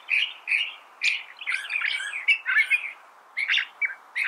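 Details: Varied California thrasher phrases: clipped chirps, then a run of harsh, tangled notes, a short pause and more sharp chirps, all loud and close.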